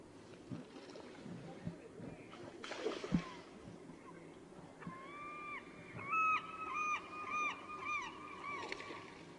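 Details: Glaucous-winged Gull, the most common gull at Katmai's bear camp, heard from the Lower River viewing platform around 5 pm on 10 September 2014, gives drawn-out, nasal, cat-like mews, level or slightly falling; splashing and rustling come before.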